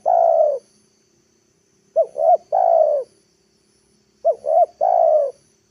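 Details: Spotted dove lure calls to draw wild birds down: the tail of a long coo, then two phrases of two short upswept coos and a prolonged mellow coo, spaced a couple of seconds apart.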